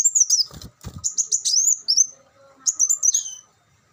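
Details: An olive-backed sunbird gives quick runs of shrill chipping notes that descend slightly. A soft rustle or flutter breaks in near the start, and a final twittering burst trails off.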